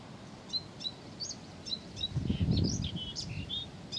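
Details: Blyth's reed warbler singing nonstop: a varied run of short whistled and chirping notes at mixed pitches, some slurred, several per second, over a low rumbling outdoor background.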